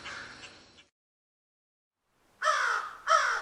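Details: After a faint, muffled call and a silent gap, a crow gives two loud, raspy caws close together.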